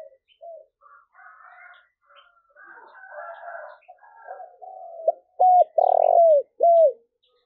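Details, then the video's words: Spotted dove calls played to lure wild doves: softer mixed chirps and warbles, then three loud, clear, hooked coos around the fifth to seventh second, the middle one longest. "cu gáy// tieng cu gay thuc boi ve coi hiệu quả nhất"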